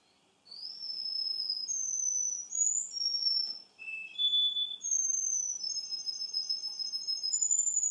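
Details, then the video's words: Russian canary, a male recorded two months later, delivering slow, pure whistled phrases: held tones rising and falling in steps, a brief low note midway, then long level whistles continuing to the end. "RUSSIAN CANARY-РУССКАЯ КАНАРЕЙКА"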